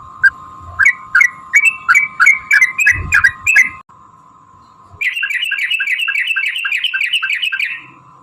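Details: Yellow-vented bulbul in long fighting song used to provoke other bulbuls: about ten separate rising notes over a steady tone, a pause, then a fast continuous rolling trill of bubbly notes lasting nearly three seconds.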